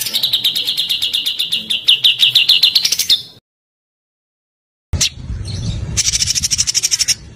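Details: Small songbird performing rapid tembakan song used to tutor pet birds: a rattling series of high notes, each burst about a third of a second, then silence, then a sharp note and a softer fast chatter.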